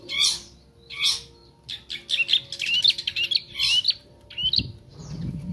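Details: Young bar-winged prinia learning to sing: two separate buzzy bursts, then a busy jumble of thin chirps, rising whistled slurs and rasping notes, ending with a soft low thump.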